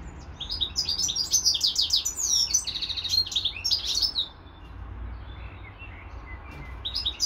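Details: Pet European goldfinch in a cage alongside a hybrid finch, giving a lively burst of rapid twitters, rattling trills and thin whistles for about four seconds, then only scattered soft chirps in the background.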